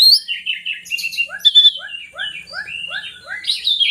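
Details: Kacer (oriental magpie-robin) singing, used to lure reluctant birds into song. A bright whistled, slurred phrase sits above a regular train of about six short downward chirps, ending in a loud high flourish.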